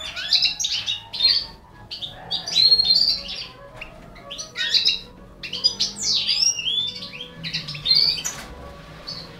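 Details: European goldfinch of the balcanica race feeding four baby canaries, with clustered high chirps and rising squeaky notes repeated in short bursts throughout, near-continuous and insistent.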